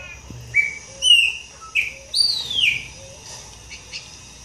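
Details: Chopi blackbird song: clear whistled notes sliding up and down between mid and high pitch, a few slurred phrases with short pauses.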